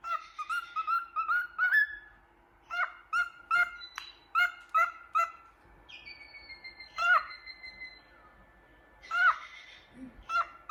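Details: Happy cockatiel looking in a mirror, whistling and singing. It gives clusters of short, rich, chirpy notes in quick bursts with pauses between them, plus a long, steady, flat whistle in the middle.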